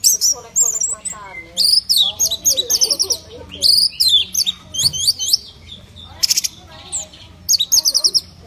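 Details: Orange-headed thrush delivering a rich, jumbled song: fast high twittering trills, sharp repeated notes and scratchy phrases in bursts about every half second, with softer low chatter between.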